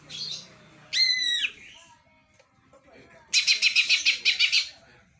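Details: Greater green leafbird, said to be imitating a house sparrow: a high rising-falling whistled note, then after a pause a rapid series of about eight sharp, high chirps at an even beat.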